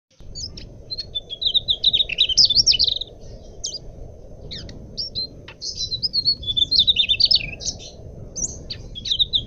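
Mugimaki flycatcher singing high, thin, twittering phrases with quick trills and squeaky notes in bursts, over a steady low background hum.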